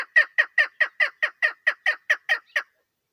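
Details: A female chukar, a call used for hunting, gives a quick series of about a dozen harsh, clucking chuck notes, roughly five per second, evenly spaced and then stopping abruptly.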